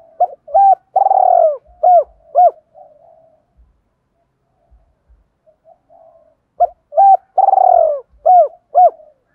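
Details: Spotted dove giving a challenge call meant to provoke fighting, in the 'giọng thổ' style mixed with calling song. Two cooing phrases, each with short hooked notes around one longer, louder burry coo, followed by soft trailing notes and faint low knocks.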